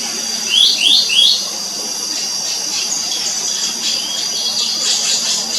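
Black-naped monarch giving three quick, sharply rising notes, then fainter scratchy calls, over a steady high-pitched insect hum.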